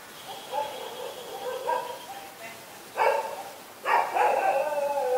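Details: Black-collared starling, Ubon Ratchathani, Thailand, 24 October 2021. Raspy, wavering calls rise and fall through the first two seconds, then two louder harsh screeches burst out near the three- and four-second marks.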